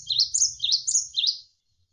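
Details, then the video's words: Gelatik wingko, the cinereous tit, in a tutor recording for training cage birds: a quick series of high, bright, sharply rising and falling two-note phrases, about four repeats, with a faint low murmur underneath. "MASTERAN GELATIK WINGKO Gacor Berjeda 1-3 Menit"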